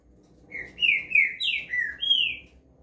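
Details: Green-winged saltator (trinca-ferro) singing a rapid series of six clear whistled notes, the highest in the middle, against a soft background rumble.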